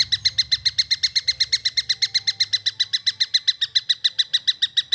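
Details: Long-tailed shrike juvenile repeating a harsh, nasal, buzzy note very quickly and steadily, about six per second throughout, with a faint low rumble behind.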